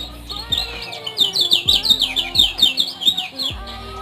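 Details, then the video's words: Rapid run of about a dozen bright, high, downslurred chirps from a Lemon-bellied white-eye, Lombok, Indonesia, delivered at a fast even pace above faint low tones and occasional knocks. "Ciak - Ciak Josss Gandos Kecial Kuning Lombok"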